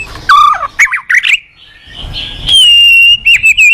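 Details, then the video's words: Tutor song of a white-rumped shama for training other shamas: a low falling whistle and quick notes, a pause, then a long sustained high whistle ending in short chips. "Masteran burung MURAI GACOR bagus buat Pancingan MURAI BAHAN"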